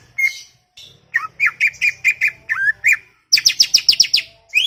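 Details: Greater green leafbird in a chattering, talkative mood: slurred whistles repeated quickly, then a dense high buzzy volley of sharp notes near the end, with low background hum.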